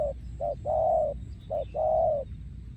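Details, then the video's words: Breeding male spotted dove cooing in the yon khu ang style, with short clipped coos alternating with long, steady, mellow coos in two phrases, over a low rumble. "พ่อพันธุ์ 2023 โยนคูอ่าง"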